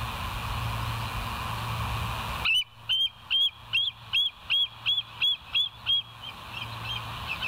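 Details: Bald eagles on a live cam, 28 August 2023, 07:02: around ten high, slightly rising whistled chirps given at a steady pace after a stretch of background rumble.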